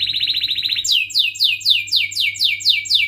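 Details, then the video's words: Canary in a chatty gacor singing style, used to out-sing rivals and to prime young canaries: a fast buzzy trill, then a steady series of high downward-sweeping chirps, about four per second. A faint low hum runs beneath. "Kenari Gacor Cuit cuit Ngerol MENEKAN LAWAN AMPUH utk Pancingan Kenari PAUD belajar Bunyi & MACETAN"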